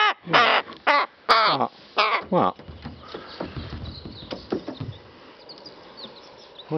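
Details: Playing rook with feather and flower: five loud, grating caws in quick succession over about two and a half seconds, then quieter rustling and soft noises.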